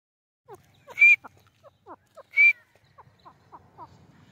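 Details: Grey francolin calling: two loud, sharp, ringing notes about a second and a half apart, surrounded by a scatter of softer, lower clucking notes.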